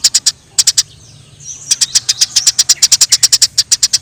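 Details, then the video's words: Eurasian tree sparrows fighting in the wild: three quick chirps, a pause with a faint thin whistle, then a long, even run of rapid, piercing chirps. "Suara Gereja Di alam liar Gereja Tarung suara jernih"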